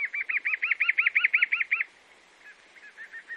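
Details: Chalk-browed mockingbird from Brazil: a fast run of about nine clear arched whistled notes near the same pitch, then a pause and a fainter, quicker string of similar notes.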